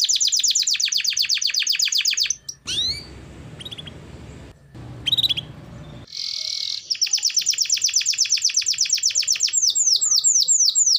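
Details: Singing canary, played to encourage lazy canaries: long rapid trills of repeated high notes, interrupted by a stretch of low rustling noise with a few sharp rising chirps, then a buzzy burst and fast trilling again.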